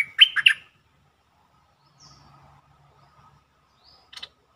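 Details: Bulbul song used as a lure to rouse birds: a quick phrase of gurgling notes at the start, then soft low background sound and a brief higher note near the end.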